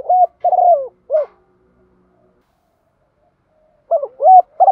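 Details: Forest recording of a decoy spotted dove calling wild doves, 'thổ sấm' voice style. A phrase ending with a rolled descending coo and clipped note, a long silence, then the next phrase begins with mellow rising coos.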